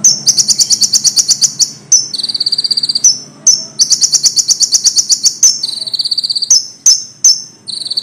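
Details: Common iora singing loudly for songbird training, with long runs of evenly spaced high pulsed notes, about eight per second, broken by abrupt sharp chips and short buzzy trills, a faint low murmur in the background.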